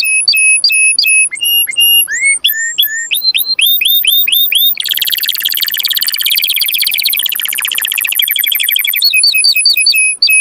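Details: Canary singing for breeding stimulation: spaced clear upslurred whistles speed into a dense buzzing roll for several seconds, then return to crisp separated whistled notes.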